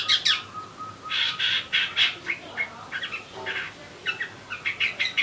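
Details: Eurasian tree sparrow (burung gereja) in energetic chatter: dense, buzzy chirps and squawks tumbling almost continuously, several per second, with rough bursts and short pauses throughout.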